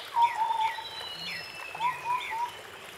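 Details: In forest, a White-browed scimitar babbler gives two phrases of low hollow whistled notes strung together, each phrase about a second long, with faint high chirps and soft background hum.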